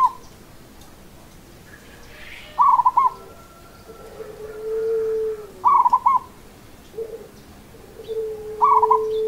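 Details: Local perkutut (zebra dove) singing in the seni irama style. Short stuttering, rolling coo phrases of three or four quick notes recur about every three seconds. A long, steady lower tone sounds between phrases.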